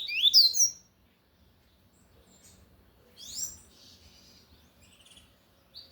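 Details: Lined seedeater (coleiro de gola, tui tui style) singing loudly: two short bursts of high, sweeping twittered notes separated by silence, then a faint brief note.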